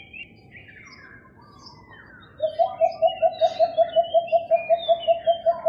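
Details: Philippine coucals, often heard in a neighbourhood, recorded May 3, 2022, giving a steady run of deep, hollow hoots, about four or five a second, after faint chirps from other birds.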